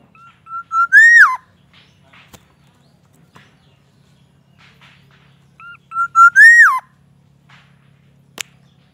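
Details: Captive black-naped oriole repeating the same fluty phrase twice about five seconds apart, each made of short whistles building into an upward glide and a sharp falling end, with faint low hum and clicks between.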